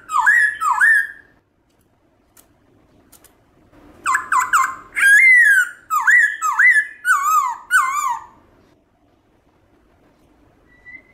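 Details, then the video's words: Wild-voice song of a Black-throated laughingthrush, meant to excite caged birds into singing: two clear whistled swoops, a quiet gap, then a run of six or seven loud, dipping and rising whistled notes. "Khướu bạc má hót giọng rừng kích khướu nhà bạn căng lửa"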